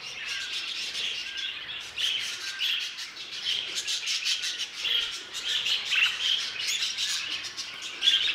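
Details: A group of budgerigars kept in an aviary twitters nonstop: high, scratchy chirps layered with thin whistled notes that swell and fade over several seconds.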